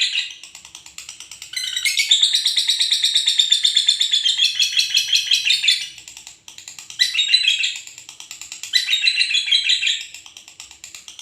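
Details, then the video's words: Noisy night-time chatter from a lovebird pair: harsh, high, rapidly pulsing twitter, a long sustained stretch of about five seconds, a pause, then two shorter shrill bursts. "love bird gacor psangan ribut malam"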